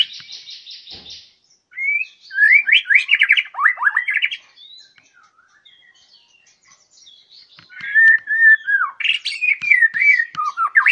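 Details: Contest-ready white-rumped shama with fighting spirit singing: a rapid stuttered burst, then loud swooping whistled phrases with chattering notes, a quiet gap of several seconds, and another run of rolling, descending whistles.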